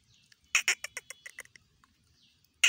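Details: Black francolin, one of two birds calling in competition: a loud burst of harsh, clipped broadband notes quickening then fading into softer notes, with another sharp blast at the end; quiet background.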